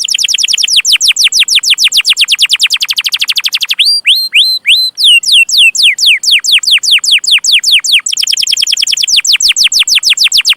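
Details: Canary singing, recorded as a master song for young canaries. A fast, dense roll of falling notes, a pause of slower hooked whistles, more descending chirps, and another rapid rolling trill.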